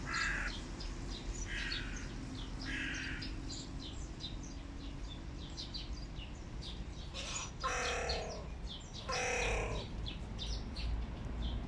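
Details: Adult male hooded crow complaining at a rival: harsh, hoarse caws in short bursts, three higher-pitched ones early, then a louder, deeper pair after a pause, over a steady low hum.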